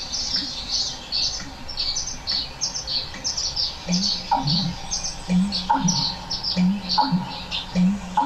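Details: Male American Bittern calling to a female gives deep, hollow gulping booms, about every second in the latter half, in a wetland soundscape with red-winged blackbird and twittering tree swallows.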